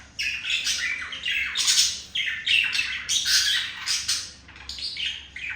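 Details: Male budgerigar courting a female, giving a chattering warble of harsh, buzzy high notes in bursts roughly every second, with short rasping squawks mixed between the phrases.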